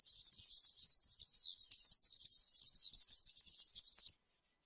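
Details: European serin in the field-style 'cante campero' song, a recording meant to tutor young birds during the moult: a fast, continuous, high, buzzy jingling trill with two brief breaks, no other sounds.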